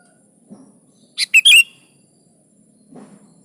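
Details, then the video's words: Sooty-headed bulbul in full song, a recording meant to prompt caged birds to answer and sing: a short loud burst of three quick rich, bubbly notes around the middle, otherwise near silence with faint low murmurs. "SUARA BURUNG KUTILANG GACOR"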